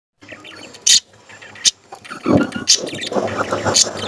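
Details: Budgerigars, including young ones, chattering while eating: squeaky, warbling notes broken by sharp, high chirps, with faint music behind.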